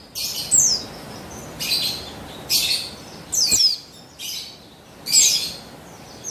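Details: Female buxtoni Javan white-eye calling to stir males into song, recorded 3/8/21: five or six bursts of high, scratchy, falling twitters spaced about a second apart.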